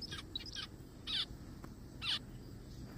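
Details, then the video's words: Zebra finch heard in a forest, giving short nasal, harmonic-rich calls, two loud ones about a second apart with softer calls before them, over a steady low background hum. "zebra finches sounds"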